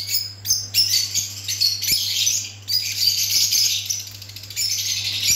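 Lutino birds chattering as a flock: dense, high, scratchy twittering with brief pauses, over a low steady electrical hum.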